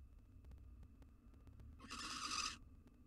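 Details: Female barn owl, wild, inside a monitored nest box as the male brings her a mouse. A single rasping, hissy screech lasting under a second follows quiet scraping and low background hum.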